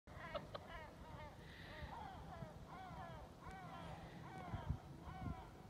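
Several great black-backed gulls give hoarse, arching mewing calls, overlapping roughly twice a second, over a steady low rumble of wind or surf.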